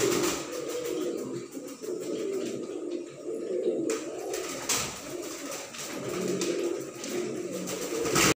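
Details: Fancy pigeons in a loft coo again and again in low, soft, rolling phrases, several birds overlapping, with faint clicks and rustling in the enclosed room.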